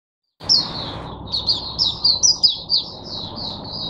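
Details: Caged oriental white-eye used as a teacher bird for other white-eyes, recorded 22 January 2022; a continuous high warbling run of twittering, wavering notes after a brief silent start.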